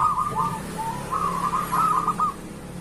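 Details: Local zebra dove singing vigorously, used as a morning lure for reluctant zebra doves: a rolling, purring coo phrase against a steady low background hum.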